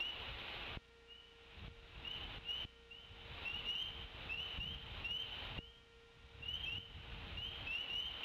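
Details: Decorah North nest, 23 April 2016 at 23:00 at night, infrared camera: the mother bald eagle gives wing whaps and thin, high chittering warning calls in quick bursts, with dull wingbeat thumps over a steady low hum.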